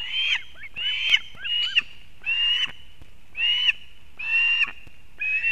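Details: At a Latvian nest in Kurzeme, a female osprey delivers fish to her chick on 31 August 2024: drawn, strained whistled calls alternate with short downslurred notes, about one call per second.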